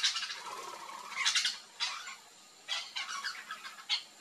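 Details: Yellow-chevroned parakeets (Brotogeris chiriri), a flock eating fruit in a backyard in Brazil, give harsh, high, screechy chattering notes in overlapping bursts, with brief quieter gaps between calls.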